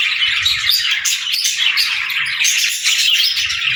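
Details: A group of pet budgerigars keeps up lively chirping: rapid, overlapping twittering and thin squeaky whistles in a constant stream, with faint low thumps underneath.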